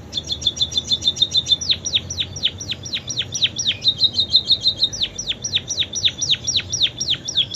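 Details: Munia singing canary-like fill-in phrases: a fast trill of high piping notes, then a run of quick down-slurred whistles repeated several times a second, with another brief trill midway.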